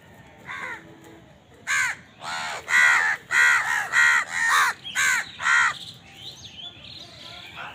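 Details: House crows fighting for food: a fast run of about ten harsh caws, near two per second, starting faint and growing loud, with fainter chatter afterward.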